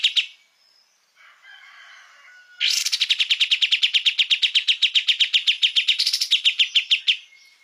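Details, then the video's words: Kapas tembak master song for tutoring cage birds: soft, warbled notes, then a long, rapid, evenly pulsed run of around thirty bright, high, chattering notes lasting over four seconds. "Kapas tembak gacor"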